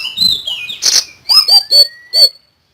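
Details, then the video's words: Common iora in loud tutoring song: gliding whistles and a harsh burst, then four ringing, bright downslurred notes, each with a falling lower tone, ending cleanly. "BURUNG SIRI SIRI GACOR FULL NEMBAK"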